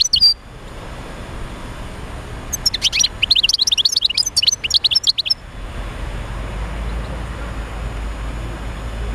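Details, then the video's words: European goldfinch singing to stimulate other goldfinches: a single short note, then a busy burst of high, scratchy tinkling twitters lasting about three seconds, followed by low steady hum and no more song. "تحفيز طيور الحسون على تغريد"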